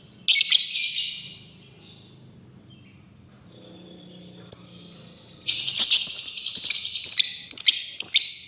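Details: Lovebird recording used as a lure to call a rival: harsh chatter, softer twittering, then a sustained stretch of loud, dense, rapidly repeated scratchy chirps.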